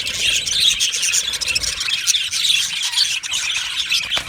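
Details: Australian budgie colony squealing and chirping in an aviary, shrill overlapping notes forming a dense high chorus with a few sharper squeaks.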